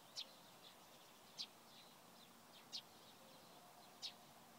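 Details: Eurasian tree sparrow recorded in Provodov-Šonov, 24 March 2016, giving four short, high, sharp chirps spaced about every 1.3 seconds, with faint background twittering from other small birds between them.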